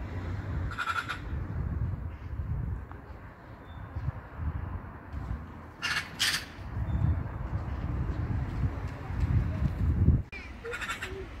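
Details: Black-billed magpie giving short, harsh, rasping broadband calls: one near the start, a quick double burst near the middle and another at the end, over steady low rumbling background noise.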